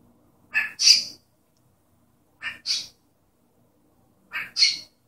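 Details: A cockatiel copies its owner's sneeze in three paired bursts, each a short breathy onset then a louder hissing explosion, spaced about two seconds apart in a quiet indoor setting.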